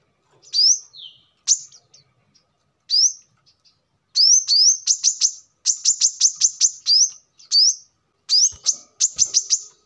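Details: Brown-throated sunbird used as a lure or training song: spaced high upslurred whistles, then clustered bursts of sharp chips alternating with rising slurs; a few faint low knocks near the end.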